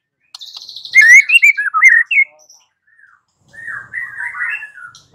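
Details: Lure recording of white-rumped shama song meant to make a bird answer: loud varied whistled and warbled phrases with a buzzy high background, a pause, then a softer rambling warble.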